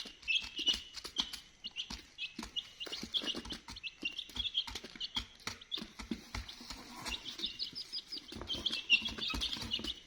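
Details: Many chicks chirp without pause, thin high peeps tumbling over one another, mixed with scattered soft taps and knocks.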